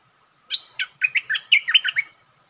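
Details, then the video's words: Bulbul acting as a lure against a territory owner: a short, cheerful phrase of about nine liquid, chortling notes, each one dipping and rising, delivered in quick succession. "เสียงนกดอกแตงEP.136จ้าวแบงค์ลองใจเจ้าถิ่น!! Birds sing Suara merbah pikat"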